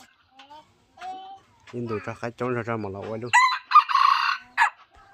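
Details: Decoy red junglefowl rooster, a wild chicken used as a lure in Laos, gives a short loud harsh crow near the end, after a stretch of low, wavering, voice-like pulsed sounds and a few faint clucks.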